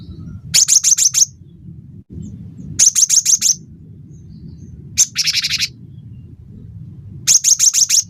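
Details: Cinereous tit singing in energetic form for a training track aimed at songbirds. Rapid phrases of five or six high, sharp whistled notes, with one buzzy chatter between them, phrases about two seconds apart; low hum throughout.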